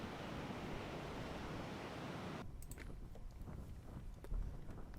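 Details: Roaring wind and surf-like rush fill the first half, then quieter outdoor background with scattered faint clicks and a low thump, with no animal voice heard.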